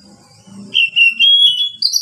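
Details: Oriental magpie-robin singing a relaxed ngeplong-style song, used to prompt other reluctant magpie-robins to sing: after a faint low murmur, clear sustained whistled notes hold steady, then jump higher in a bright closing phrase.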